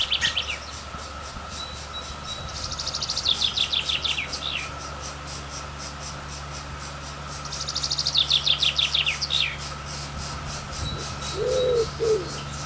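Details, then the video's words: Woodpecker chicks being fed at their nest give two brief bursts of rapid, high, descending chirps about five seconds apart, with quiet gaps between. A constant pulsing insect buzz, a steady hum and a short lower bird note near the end. "Woodpecker Birds Feeding Their Chicks - कठफोड़वा पक्षी - Birds Chirping"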